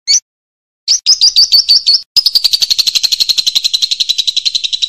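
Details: Champion lovebird, a loud singer used as a model for other birds: a single chirp, a run of quick piercing notes, then a long rapid buzzy trill.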